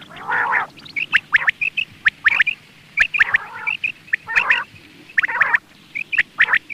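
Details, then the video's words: Morning calls of a quail, with rasping bursts interspersed with brief, sharp high notes that come in quick succession throughout, over a faint low background hum. "Quail sounds , batair ki subbha keliye awaz,batair ki awaz ,morning awaz"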